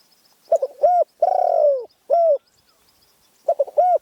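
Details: Spotted dove song from Phrae, Thailand, described as a small, fierce voice. Stuttered short coos lead into a long descending coo and a rounded note, with a pause before the next stuttered pair. Faint high insect-like ticking behind.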